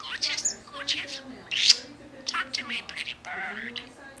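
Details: A pet budgerigar in an affectionate morning mood chatters non-stop in a thin, raspy, high voice, running mimicked phrases like "I love you", "hello baby" and "good boy" together between chirps.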